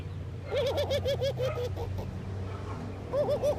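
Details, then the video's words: Morning ring-necked dove from India giving a quick string of short, bouncing coos, then a pause and a second brief burst, over low rumbling background noise. "Ringneckdoves calling sound !! Indian Birds Dove morning activity Doves cooing"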